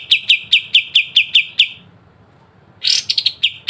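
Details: Kapas tembak (Pied triller) song with sharp trilling 'besetan', meant to train songbirds: eight quick high chips in an even row, a second of silence, then a harsh buzzy burst followed by more fast notes.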